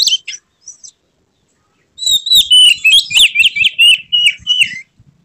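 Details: Kacer, an Oriental magpie-robin, in an agitated display with tail opened: a few faint high notes, a silence, then a rapid run of loud whistled, sliding and buzzy phrases for about three seconds.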